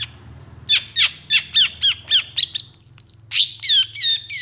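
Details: Long-tailed shrike singing vigorously and agitated, answered by another shrike kind, in a training recording of harsh bursts: a row of rough, downward-sweeping squawks about four per second, then a thin high whistle and more grating notes, with a faint low hum beneath.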